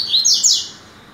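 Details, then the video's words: Double-collared seedeater singing in the tui-tui style on a 22 September morning: a quick phrase of three bright, high, sliding whistled notes, the last falling away, in a quiet setting. "Coleiro tuitui"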